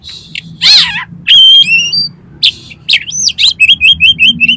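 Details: Oriental magpie-robin (kacer) song played to trigger another kacer to sing and open its tail: a harsh rasping burst, then clear piping whistles, ending in a fast series of six repeated downward-slurred chirps.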